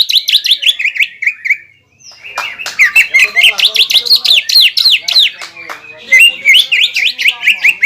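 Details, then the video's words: Greater green leafbird in rival-provoking song: fast runs of looping whistled notes, a brief pause, then renewed rapid chains of arched, repeated phrases with crisp high ticks. "CUCAK IJO GACOR INI MAMPU MEMANCING EMOSI CUCAK IJO LAWAN"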